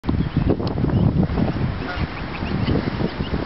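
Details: Geese on the River Thames at Walton-on-Thames, UK, giving rough, honking calls in quick succession over a constant low rumble of background noise.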